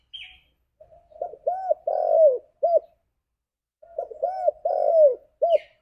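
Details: Cooing of a spotted dove calling its companions, a lure sound: two matching phrases two to three seconds apart, each building from soft notes to arched coos, a long falling coo and a short end note; brief high chirps from another bird at start and end.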